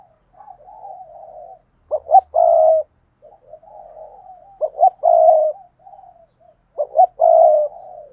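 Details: Spotted dove kept as a decoy, calling: soft wavering murmurs lead into two or three quick stuttered notes and a sustained hollow coo, the phrase repeated three times at a leisurely pace.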